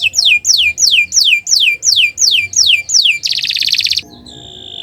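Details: Canary singing for use in training other birds: eight loud downward-slurred whistles spaced about half a second apart, a short burst of rapid buzzy trill, then quieter soft notes.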